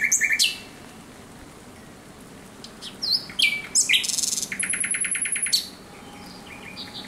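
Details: Singing thrush nightingale at night, 17 May 2023: scattered sharp chirps and clicks, then a rapid, even rattle of many dry notes, followed by quieter trailing notes.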